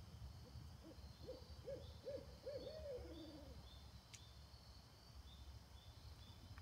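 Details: Barred owls calling in Stokes State Park in September; a quiet run of hoots, speeding up and climbing slightly before trailing off into a lower drawn-out note, over steady low rumbling background noise.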